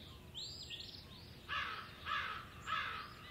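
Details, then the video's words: Male osprey at Hog Island calling while looking for his mate, recorded 17 April 2016: a run of downslurred whistles, then three loud harsh broadband notes about 0.6 seconds apart, with steady background noise. "Steve is looking for his Rachel. Hog Island Ospreys."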